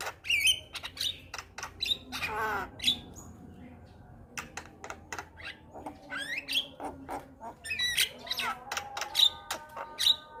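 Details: Black-winged starling, kept as a cage bird, singing vigorously with head-bobbing: clusters of dry clicks, rasping notes and short pure whistles, with a quieter stretch midway before the clicks and whistles pick up again.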